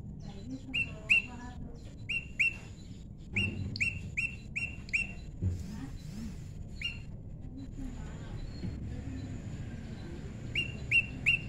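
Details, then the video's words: Prinia, tame, in natural pairing, calling rapid runs of flat, clipped chirps in groups of three to five, broken by quiet spells and some background noise. "prenjak lumut jodohan alam"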